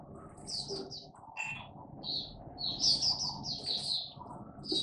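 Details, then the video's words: Caged Oriental white-eye giving a 'buka' opening song: scattered high chirps building into a longer bright twittering run, with steady low room noise throughout. "Mata Puteh Buka Sing"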